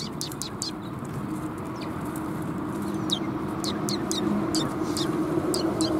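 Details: Eurasian tree sparrows coming to a bench to be fed, 7 January 2022: a flurry of short, high, sharp chirps from several birds, irregular and overlapping, over a steady low rumble of traffic or wind.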